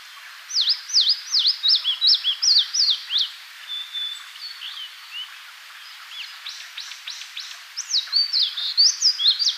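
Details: Eastern crowned warbler (Phylloscopus coronatus) singing its territorial song in Tainai, Japan: a rapid series of high, sharp, down-slurred notes, then a burst of quick buzzy phrases, repeated about twice a second.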